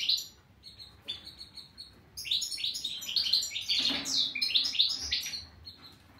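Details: European goldfinch in full song, a fast jumble of liquid twitters, trills and ringing chirps that grows louder after a short pause and runs on continuously to the end.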